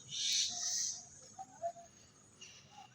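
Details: Juvenile common myna near its nest, perched after rain, gives a harsh, hissing screech lasting about a second, then a few short, low whistled notes.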